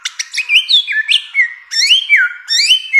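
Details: Samyong or bare-throated whistler from Nusa Tenggara sings loud melodious whistles, rising phrases linked to falling slurs, repeated rhythmically with barely a pause between them.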